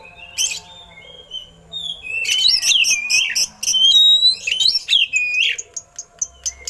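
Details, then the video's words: Song of an oriental magpie-robin with imitated eagle calls, used to train other songbirds: quiet whistles build into a loud run of swooping, looping whistles and harsh chatter, then fading clicks. "Suara Burung Kacer Isian Elang || Pas Buat Masteran"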